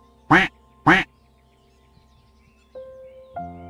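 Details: Duck quacks twice in quick succession, about half a second apart, both harsh and nasal; calm instrumental music then continues with new sustained notes.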